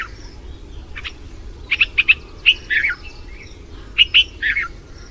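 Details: Red-vented bulbul in India after the monsoon giving bright bubbly chirps, possibly mate calls, in quick clusters of two or three notes, about a dozen over five seconds, over a faint low rumble.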